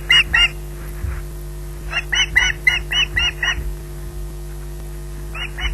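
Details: An osprey waiting for food at RSPB Loch Garten gives squawks in bursts: two at the start, a fast run of about eight in the middle, two more at the end, over low hum and faint knocking.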